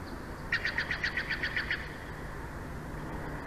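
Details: Bald eagle at the nest of a mated pair in Big Bear Valley, live nest camera, 06/04/2024 at 22:36: a quick run of about nine short, piping notes of even pitch, evenly spaced over one second, over a low steady hum.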